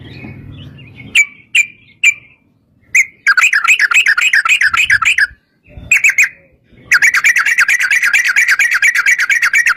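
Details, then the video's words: Long 'ropel' song of a yellow-vented bulbul, used to lure other bulbuls into singing: a few sharp separate notes open into long bursts of rapid, wavering bubbly trills broken by short gaps. "trucukan gacor TARUNG ROPEL PANJANG pancingan trucukan agar bunyi jadikan burung trucuk gacor NYAUT"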